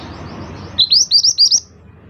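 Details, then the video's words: Scarlet minivet (mantenan) in active song: four loud, bright upslurred whistles in quick succession, each rising sharply, with faint high notes before them and a quiet background. "burung mantenan gacor"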